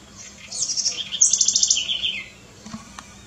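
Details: House wren, known locally as curruíra or cambaxirra, a small wild bird seen in gardens: a quick, high, chattering song of rapid trilled and descending notes lasting under two seconds, then quiet with faint background noise.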